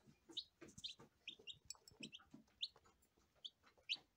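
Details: Several high, sharp peeps tumble out in a busy run from first-day lavender Ameraucana chicks, accompanied by soft pecking and rustling sounds.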